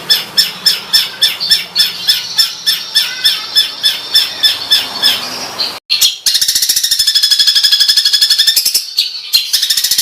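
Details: Competition-training master songbird delivering rough 'tembakan' fill: a run of sharp high chips, a short pause, then a dense, fast, buzzy trill to the end.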